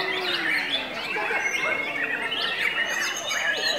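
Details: Murai matahari white-rumped shama in an excited, hyper singing state said to follow feeding on pur and crickets; dense, rapid medley of sharp chirps, upward flicks and sustained whistled tones layered tightly together without pause.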